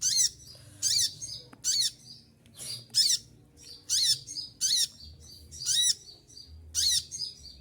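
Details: Moulting olive-backed sunbird keeps up a shrill song of piercing 'shooting' phrases: about eleven sharp bursts over several seconds, each a quick high zigzag flourish, separated by brief thin twitters.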